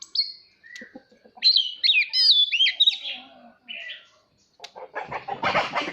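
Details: Oriental magpie-robin singing to coach young birds and trigger song duels: sweet whistled notes and twisting slurred phrases with short pauses, ending in a burst of harsh broadband rustling noise.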